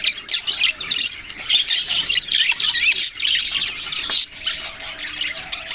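Budgerigars chatter in a steady stream of harsh, scratchy squawks and quick high chirps, rising and falling in bursts with barely a pause.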